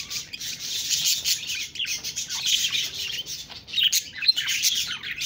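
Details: Budgerigars chirping in a busy, continuous chatter of high twittering notes and warbles with scratchy squawks, several birds overlapping without pause.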